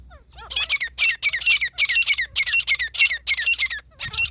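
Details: Wild grey partridge recorded in a hunting setting, giving a loud, harsh, rasping call. The call is repeated in rapid bursts of about three per second for nearly four seconds, with faint squeaky chirps in the background.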